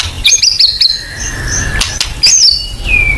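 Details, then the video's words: White-rumped shama song used as a lure recording to draw out full singing: clear whistled notes, sharply rising and falling high phrases with a long falling whistle at the end, over low background rumble and clicks. "Pancingan AMPUH BONGKAR MATERI MURAI BATU FULL NEMBAK"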